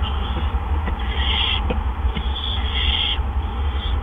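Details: Barn owl nest at 8 PM, April 2013, as two adults bring gophers back to back; long rasping hisses with faint clicks and scratching, over a steady low hum.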